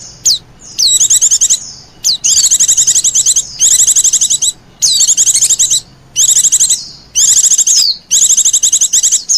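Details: Oriental white-eye lure call for wild birds: loud, very high bursts of rapid, scratchy trilled chatter, about seven bursts in nine seconds, mixed with thin downslurred whistles between them.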